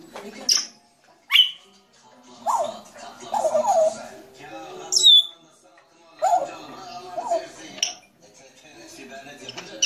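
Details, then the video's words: A grey parrot gives sharp rising whistles and squeaks mixed with low, throaty chatter and speech-like babble, in irregular bursts every second or two. "Jako Papağanı Sesi"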